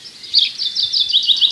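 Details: Common chaffinch in a summer garden in the Arras region sings its loud, melodious but somewhat repetitive song, a bright run of high, rapidly repeated notes.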